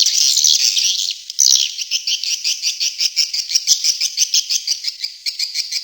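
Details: Swiftlet lure call used to attract swiftlets: high, thin chirping twitters repeated in quick regular pulses about twice per second, with a denser chattering burst at the start.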